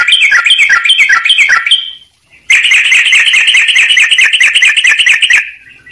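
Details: Sooty-headed bulbul song for training other birds, with quick chattering phrases, a brief pause, then a dense rolling trill of rapid notes that fades out.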